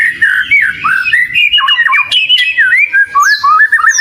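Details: Oriental magpie-robin in full lure song: varied whistled phrases mixing steady notes, rapid trilled wobbles and harsh squawky elements, ending in high rising whistles.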